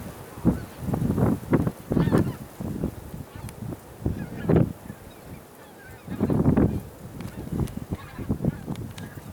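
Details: Honking of a small Tundra bean goose group (Anser serrirostris), Texel, Holland, 28-12-2012: low gruff calls in clustered runs, several birds at once, pausing briefly before another loud burst near the end.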